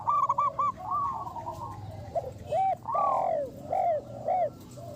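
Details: Local zebra dove, a strong lure singer with a big voice, opens with a fast string of clipped staccato coos, then gives several separate, rounder arched coos with short pauses between them.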